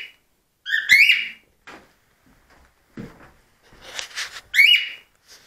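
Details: A pet cockatiel on Christmas Day, 25 December, gives two loud, shrill screeches about four seconds apart, each with a sharp rising whistle, with softer rustles and knocks between.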